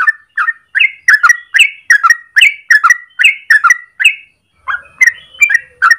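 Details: Yellow-vented bulbul with long morning 'gacor ropel' song for lure or master training: rhythmic, paired gurgling notes repeated roughly three per second, ending in a looser run of scattered chirps.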